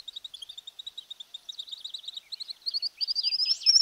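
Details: Streamer-tailed Tyrant (tijerilla) from Argentina: a rapid series of short, squeaky chirps, about three per second, speeding up and growing louder into a high, sustained whistled note at the end.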